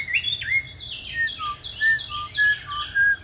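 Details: Chinese hwamei, green-bean-eye variety, in fighting song meant to train other hwamei to sing softly: clear whistled notes alternating high and low at a steady pace of roughly two per second.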